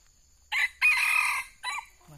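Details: A wild, rather old red junglefowl lured with a decoy and netted before fighting crows once: a clipped three-part call, a short hoarse opening, longer strained middle and quick fading end, about a second and a half.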